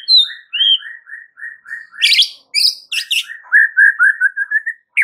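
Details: White-rumped shama song as training material to prompt a reply: a steady run of short clear whistled notes, about three a second, broken by loud buzzy, rattling high bursts, then a quick warbling string of sliding whistles.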